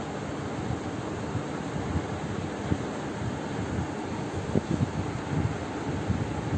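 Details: Blustery wind noise buffeting the microphone with low rumble, and no animal voice.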